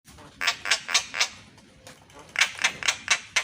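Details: Javan myna singing in the morning, a recording used to train other mynas to sing: short, harsh, noisy bursts repeated about every quarter second in two groups, with a pause between them.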